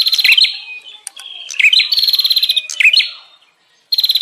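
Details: Bar-winged prinia, noisy agitated 'ribut' calls used as a lure for wild birds: rapid buzzy chattering bursts with rising whistled slurs, repeated in quick runs, then a short silence before another burst.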